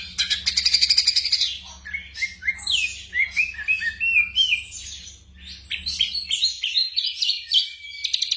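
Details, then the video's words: Night tutoring track of black drongo song for caged birds: an opening rapid pulsed rattle, then a chain of short upslurred whistles climbing in pitch, followed by mixed chirps and slurs; low hum present. "TERAPI SRIGUNTING MALAM HARI vol.02"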